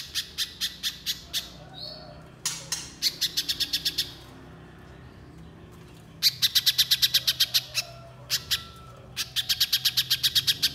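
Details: Little spiderhunter singing energetically: short bursts of rapid, hard, high-pitched chips, each run lasting one to two seconds, separated by quiet gaps, with a faint thin whistle in the background.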